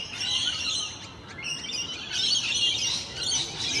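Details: Morning flock of Rainbow Lorikeets socialising in the wild, keeping up a loud, unbroken stream of high, grating chatter and squeaks that swells and dips without a pause.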